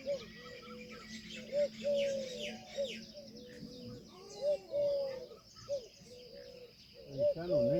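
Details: Peafowl, Indian species, uttering a series of short and long mewing, downslurred wails with a steady low hum and dense high chirping from other birds throughout.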